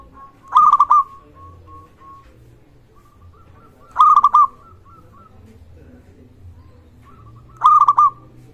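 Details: Perkutut, a zebra dove of local Indonesian stock, cooing to stimulate other zebra doves and raise their arousal. Three stuttered coo phrases repeat about every three and a half seconds, with faint trailing notes between.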